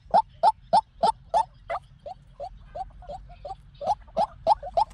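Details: A white-breasted waterhen calls as a trapping lure. Five loud, hollow notes start it, followed by a stretch of softer, muffled notes, then a loud burst of quick notes returns near the end.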